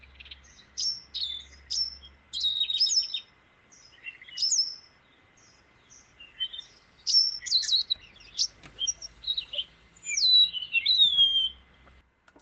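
Cape Wagtail giving bright, high twittering chirps and quick trills in lively bursts with brief pauses, over a faint steady electronic whine.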